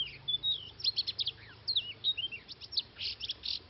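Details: Oriental magpie-robin recorded in a Vietnamese trapping scene, giving a quick medley of sharp chirps, twisting whistled phrases and clipped notes in a busy unbroken stream, with a soft low drone beneath.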